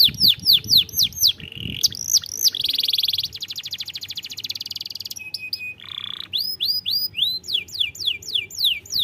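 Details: Canary singing as a lure for young canaries: sweeping downslurred whistles, then a lower buzzy trill and a fast rattle, a short steady tone, and renewed rapid descending whistles.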